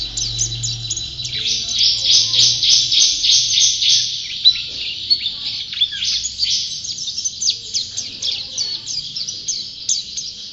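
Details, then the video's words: Pleci (white-eye), a contest-champion bird in full song: a long, fast, high twittering run of thin whistled and chirping notes, densely packed and continuous, with a faint low hum early on. "Burung Pleci Juara Gacor"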